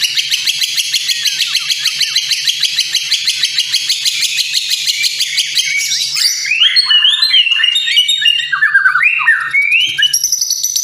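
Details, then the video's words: White-rumped shama song played as a lure to set birds singing and showing their mimicked fillers: a long, rapid, harsh rattling trill that breaks into varied rising and falling whistled phrases and chips. "suara pancingan di jamin murai langsung gacor dan keluar isian"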